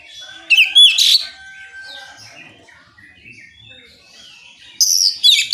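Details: Oriental magpie-robin singing to provoke other magpie-robins to answer; sharp looping whistles and a loud burst early, a steady thin tone, quieter warbling, then another loud whistled phrase.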